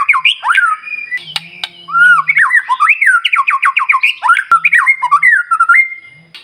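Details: White-rumped shama singing at full strength to set off other birds in the morning: rapid looping whistles rising and falling in quick succession, with a faint low hum beneath parts of the phrase.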